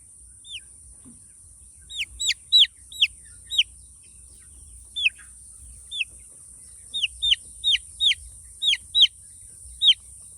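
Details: Peeping of chicks, sharp descending cheeps given singly and in quick runs, busier toward the end, against a constant faint high-pitched hiss.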